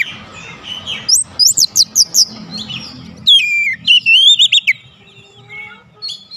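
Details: Oriental magpie-robin song meant to provoke rivals: a quick run of sharp repeated chip notes followed by a bright, wavering whistled phrase, then softer fading whistles, over low background rumble.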